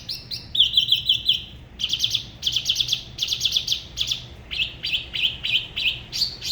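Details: Solo song of a spot-throated babbler from Da Lat's La Ba river, whose singing style is said to differ from other regions. Rapid bursts of bright chattering notes come in clusters, mixed with short clear whistles.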